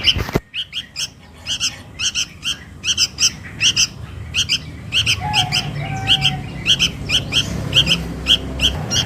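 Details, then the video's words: Sooty-headed bulbul young calling for its mother, used to lure birds: a sharp click, then steady runs of high paired chirps growing denser, with a faint low whistle midway. "SUARA PIKAT // ANAK KUTILANG MEMANGGIL INDUKNYA"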